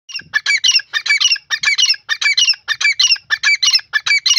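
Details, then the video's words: Francolin (teetar) calling loudly and insistently: harsh, squawking multi-note phrases repeated rapidly in a steady rhythm, about ten phrases in four seconds, with a quiet background. "partridge teetar ki lovely awaz"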